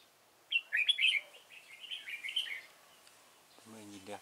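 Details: Red-whiskered bulbul singing as a decoy to draw wild birds into a trap: lively, bubbling whistled phrases for about two seconds, fading into softer notes, then a man starts speaking.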